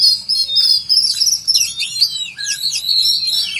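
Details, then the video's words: Oriental magpie-robin delivering a continuous, loud song filled with cricket mimicry, sustained high whistles breaking into rapid slurred, twisting notes and buzzy flourishes with barely any gaps. "Kacer mewah full isian jangkrik"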